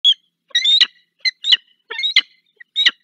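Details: Peregrine falcon on a repeat visit in the Barycz Valley, Poland, 15 February 2023; harsh, grating notes in short irregular bursts, about seven over three seconds, against a quiet background.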